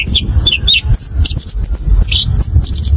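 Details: Anis kembang, the orange-headed thrush, in rolling ngerol ngeplong song: bursts of high squeaky and whistled notes, sweeping up and down, delivered in a fast, unbroken stream over faint low-frequency noise.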